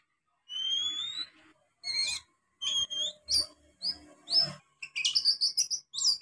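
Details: Young wild oriental magpie-robin learning to sing, giving a long rising whistle followed by a series of short varied chirps and buzzy notes in quick bursts.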